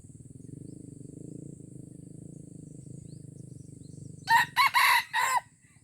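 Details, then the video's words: Aceh red junglefowl on a first lure test. A low pulsing hum runs for four seconds, then a loud crow of four rasping syllables, the third stretched longest. "Ayam Hutan Aceh # Pikat Ori test perdana"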